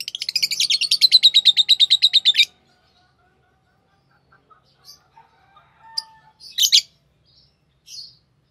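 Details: A fast, loud rattling trill from green Fischer's lovebirds opens, about two seconds of rapid high pulses, then quieter scattered chirps and a low hum.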